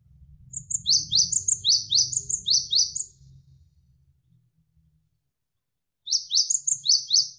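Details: Javan sparrow sample used to tutor competition or pet birds: a three-second burst of many sharp, falling high chips with thin upper ticks, a pause of soft water murmur, then the burst starts again.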